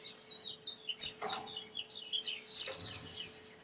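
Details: Domestic Belgian canary singing: evenly spaced soft twittering notes at a steady beat, a brief lower buzzy burst, then a loud, fast, high rolling trill that fades into a thin whistle.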